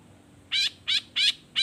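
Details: Long-tailed shrike gives a lure sound to prompt other shrikes to respond: harsh, rasping scolding notes repeated about three times a second, each short and grating.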